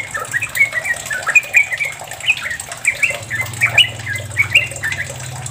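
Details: Sooty-headed bulbul giving a long, rapid 'ropel' song meant to get other bulbuls singing: short chirpy, fluty phrases repeated roughly once a second, with a low humming drone joining partway through.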